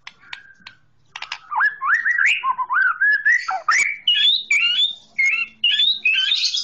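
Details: Green leafbird song meant as a tutor for young birds: a few clicks, then a long string of slurred whistles climbing steadily higher, ending in shrill, bright repeated notes.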